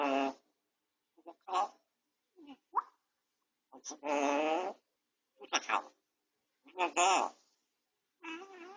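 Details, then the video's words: Home-camera capture of a pet grey parrot healing from a beak injury, talking while resting indoors: a sequence of human-like spoken phrases, one sustained and strongly harmonic, among clipped sharp syllables. "아파도 말은 포기 못하는 앵무새, 회색앵무"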